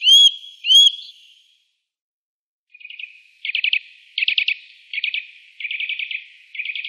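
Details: Eurasian nuthatch recorded in the Wittlich valley in 2018: two loud rising whistles, silence, then short bursts of rapid, clipped trilling notes repeated several times.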